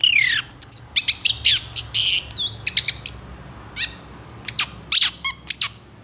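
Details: Long-tailed shrike in lively, emotional full song with long bursts, used as tutoring audio for shrikes: sharp high chirps, swooping whistles and rapid clicky notes in quick, uneven bursts, with faint low hum beneath.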